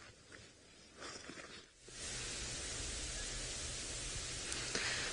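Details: Soft rustling outdoors gives way to a loud, even hiss of broadband noise, and no animal voices can be picked out.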